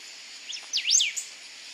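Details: A Golden-billed Saltator (Saltator a. aurantiirostris) at Costanera Sur, Buenos Aires, Argentina, in March gives a quick burst of sweeping, slurred, high whistled notes rising and falling, over a steady hiss of background noise.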